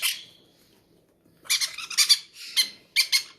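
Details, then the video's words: Hungry, greedy parrots at feeding time in a breeder's aviary: harsh, raspy high squawks in quick bursts, repeated several times after a brief quiet gap. "feeding our hungry drangon parrots"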